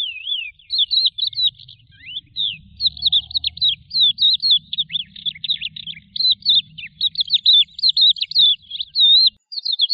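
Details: Lark song, described as a resident desert bird: a continuous, rapid, high warbling stream of twittering and rolling notes with short slurred whistles and brief pauses, over a faint low rumble.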